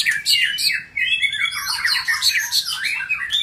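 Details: Male White-rumped shama, newly introduced and challenging another caged male, pouring out rich varied whistles, rising and falling slurs and harsh chatters in a continuous energetic stream, recorded indoors.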